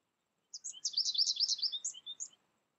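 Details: Isolated first-year American goldfinch that learned song from a tutor recording, producing a quick run of bright, high, slurred twittering notes that fall off into spaced chips at the end.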